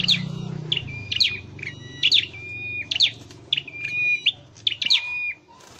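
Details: Bright, high chirped notes from a caged Scarlet-headed flowerpecker being trained to sing, sharp downward flicks joined to level whistles, repeated about every second over a low background rumble.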